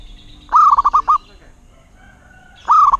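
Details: Local Zebra dove song: two loud rolling coo phrases of five beaded, slightly rising notes, each about half a second, with a softer, drawn-out cooing note between them in a quiet background.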